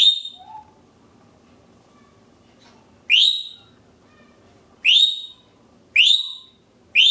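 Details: Pet African grey parrot calling loudly with repeated sharp upswept whistles, four piercing rising notes in the second half, irregularly spaced about one to two seconds apart, after a soft short whistle at the start.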